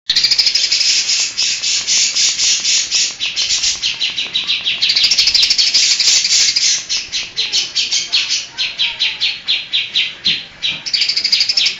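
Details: Greater green leafbird in full mimicry song, with imitations of kapas tembak, tengkek, cililin, lovebird and cucak jenggot. Rapid, high chattering notes repeat about three per second, with brief dense trilled bursts. A faint background hum is audible.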